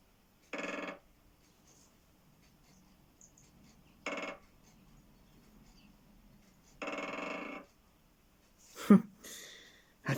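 Great Spotted Woodpecker drumming: three short, rapid rolls spaced a few seconds apart, each under a second long. A man's voice speaks briefly at the end.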